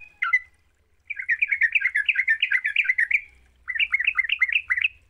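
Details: Yellow-vented bulbul song used as a lure to stir a quiet bird into singing: a single sharp note, then a rapid run of rolling, warbled notes, a brief pause, and a shorter run of looping, chattering phrases.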